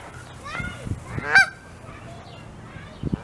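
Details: Wild Canada geese, a mother with goslings settling to sleep under her wing in Saskatoon, Saskatchewan on a May 16 evening, give a few short nasal honks in quick succession, one louder and harsher, with low thumps and a faint human voice nearby.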